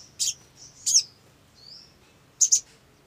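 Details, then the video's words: Olive-backed sunbird used to coax other sunbirds into song: high twittering chips in pairs, a thin descending whistle in the middle, and a final double chip. "SOGON GACOR !! PANCINGAN SOGON AGAR BUNYI"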